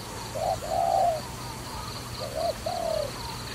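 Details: Trapping dove calling with two soft coo pairs, each a brief note followed by a longer, slightly falling one, over quiet background hiss.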